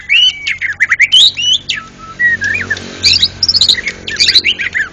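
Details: National champion white-rumped shama singing ngeplong gacor style: dense bursts of high whistled phrases, rising and falling notes, and sharp chips, with short pauses between phrases.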